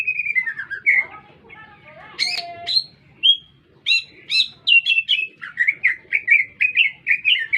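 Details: Lively lesser green leafbird song heard in the middle of a city: descending whistled slurs, scattered sharp notes with gaps, then a fast run of bouncing chirps, low background noise throughout.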